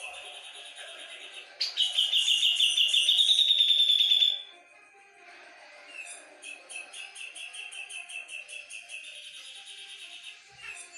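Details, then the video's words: Cucak jenggot, the Javan black-capped bulbul from Java, in lively full song: a loud sustained trilling whistle rising slightly over two seconds, then a softer, rapid series of repeated chattering notes. "Cucak jengot gacor volume tembus"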